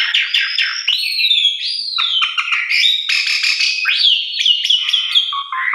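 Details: Javan pied starling singing a varied, nonstop phrase of squeaky whistles, slurred descending notes and scratchy chatter, played as a morning lure to stimulate quiet or stressed birds to sing.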